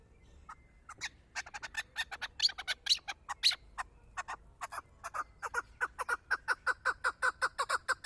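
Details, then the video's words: Chukar partridge kept for hunting: after a spell of sharp broadband clicks, a steady run of clucking notes repeats about three times a second, each note a short downward-sweeping chuck, growing more even toward the end. "Кабки шикори"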